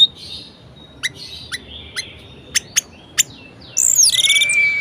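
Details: Kept orange-headed thrush singing to prompt lazy thrushes into song: scattered sharp ticks spaced about half a second apart over soft hiss, then a sudden buzzy harmonic phrase with a long thin whistle.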